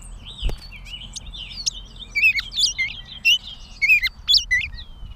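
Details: Catbird recorded 16 May 2020 in Bowdoinham, Maine: a rambling run of whistled, wavering notes and quick chirps, rising and falling, with a sharp click near the start and a soft background hum.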